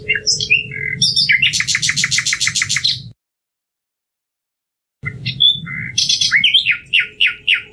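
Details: Song of a common nightingale, a migratory insect-eating bird: rich jumbled phrases with a fast rattling burst of repeated notes, a pause, then twittering and descending slurred notes over a steady low background hum.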